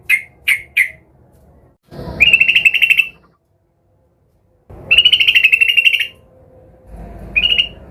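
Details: Excited yellow-vented bulbul seeking a rival gives three harsh notes, then two steady buzzy trills each about a second long, and a short trill at the end.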